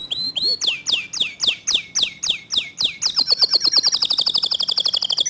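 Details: Local canary song in the fast 'tembakan' style: a series of loud whistled notes sweeping sharply downward, about three per second, then an accelerating dense high trill.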